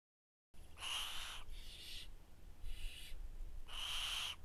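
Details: Barn owl recorded close up on a trail camera in Cheshire, giving four harsh, hissing screeches, each about half a second long and roughly a second apart, over a low background rumble.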